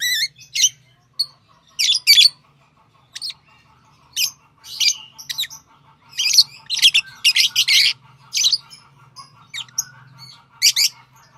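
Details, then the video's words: Lovebirds kept as pets keep up a busy run of shrill chirps and squeaks, closely spaced in the second half, over a faint low background drone. "Love birds Sounds | lovebirds chirping sounds"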